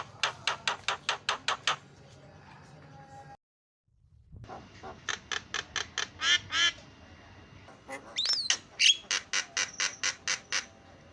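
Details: Javan myna, kept for training silent mynas to sing: a series of evenly spaced harsh, buzzy notes, a brief silence, then more rapid harsh notes ending in a sliding whistle among further buzzy bursts.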